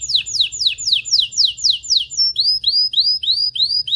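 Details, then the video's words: Canary song played to stimulate males and females to mate: a series of loud downward-sweeping whistles about four per second, then shorter upward-curving chirps repeated at a similar pace. "تغريد طائر الكناري هائج , لتجهيز الاناث و الذكور للتزاوج والغناء"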